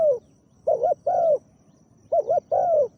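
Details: Captive spotted dove used as a decoy to lure a wild dove, described as big-voiced, coos in two phrases, each a quick doubled hoot then a drawn-out descending coo, over quiet background.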